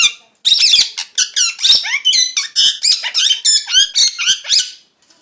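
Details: Chirping parrot: after half a second of quiet, lively bursts of high squeaky warbles and chirps follow in quick succession, stopping just before the end.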